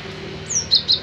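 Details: Gelatik batu, or cinereous tit, in song: one high descending whistled slur, then two sharp, bright chirps about a fifth of a second apart, with a soft low hum underneath.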